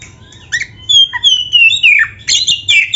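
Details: Singing oriental magpie-robin on a recording meant to train caged birds: a long descending whistled phrase, then rapid harsh chattering notes and sharp high squeaks.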